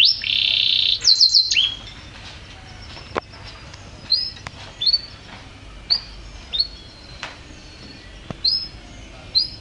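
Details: Champion canary opening with a dense bright roll and quick stuttered notes, then slower single chirps, each a short rising-falling slur, spaced one to two seconds apart.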